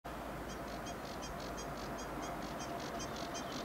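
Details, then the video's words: Sedge warbler recorded on 23 May 2022; faint high notes repeated rapidly and evenly, roughly five per second, in a steady series over constant broadband background noise. "Ruokokerttunen ääni, Acrocephalus schoenobaenus"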